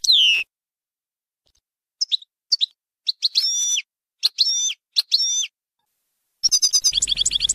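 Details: Goldfinch song for teaching fledglings: a falling whistle, then scattered short notes and ringing, tinkling phrases, ending in a rapid rhythmic twitter over a faint low hum.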